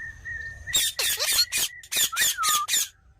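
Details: Green parrot giving rapid, raspy squawks over a steady thin whistled tone in the background.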